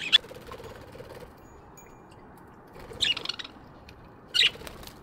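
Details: Morning aviary budgerigars giving three separate bursts of chirps: one sharp note at the start, a longer scratchy cluster midway, and a brief chatter near the end, with quiet gaps between.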